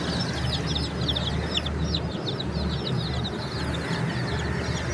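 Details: Many baby chickens calling together, thin bright cheeps tumbling downward in pitch and overlapping thickly, set against a steady deep background hum.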